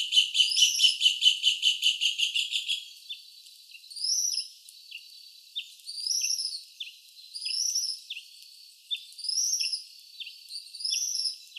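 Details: Tropical kingbird recorded at a flora study and conservation centre in São Paulo, Brazil: a rapid run of about fifteen sharp, high twittering notes, then short sweeping high-pitched twittered phrases repeated roughly every two seconds, with faint ticking in the background.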